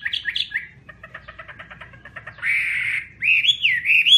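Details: Chinese hwamei phrases: a few bright whistles, a soft pulsing series of short repeated notes, a harsh drawn-out buzzy note, then loud looping whistled slurs; low hum behind.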